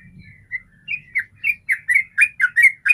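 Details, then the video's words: Sooty-headed bulbul giving its 'ropel' song, used to coax other bulbuls into song: a faint start over low background noise, then the whistled slurred notes grow louder and faster toward the end. "Trucukan manapun langsung rajin ropel pagi siang malam dengan pancingan suara Trucukan ropel ini"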